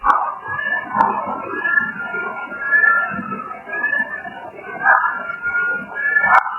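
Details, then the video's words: Bush stone-curlews at night at Granite Gorge Nature Park near Mareeba, North Queensland, Australia, on 19 July, give long, eerie, overlapping wails that rise and fall, over a hissing background with a couple of sharp knocks. "Those wailing sounds that you can hear in the background are coming from a native bird species known as the bush stone curlew."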